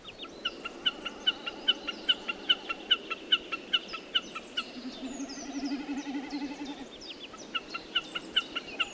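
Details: At night, a common snipe gives squeaky repeated notes about two per second, like someone vigorously cleaning windows, with other birds calling in the background.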